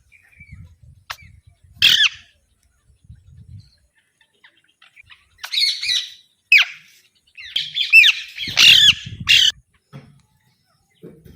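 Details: Alexandrine parakeet making scattered rasping squawks and chattering notes, sometimes in quick clusters and sometimes alone, with soft low rustling between calls.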